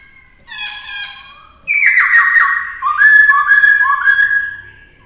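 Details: Black-throated laughingthrush in captivity, sung to teach a young bird. A short harmonic note is followed by loud, full whistled phrases that glide downward, then a string of repeated rising-falling whistles.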